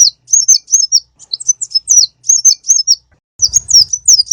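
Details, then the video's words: Konin bird (sunbird), recorded for bird luring and song training: bright, very high, slurred chirps in rapid groups, pausing briefly, ending with a quicker burst over low rumbling noise. "Pikat Burung konin //masteran suara burung konin full isian"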